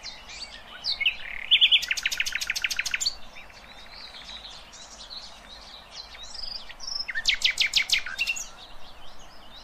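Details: Nightingale song, played as a lesson for young goldfinch and hybrid chicks: loud bursts of rapid rattling clicks and harsh repeated notes separated by a quieter gap with faint twittering.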